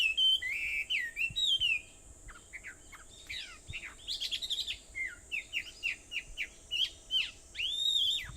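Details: Early-morning birdsong on Aobayama in Sendai, 21 July 2014 at 4:30: bright whistled phrases, then a string of short clipped chirps at an even pace, ending on a rising slurred whistle, with a steady high hiss behind.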